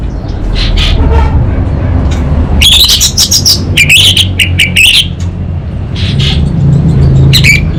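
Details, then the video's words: Orange-headed thrush in energetic song with kabel konslet style phrases leading into ngeplong: a burst of sharp, jumbled high notes and slurred whistles for about two seconds over a steady low rumble. "ANIS BATA Berkicau Gacor Membuat Burung Cepat Tanggap dan Respon Kabel Konslet Lanjut Ngeplong"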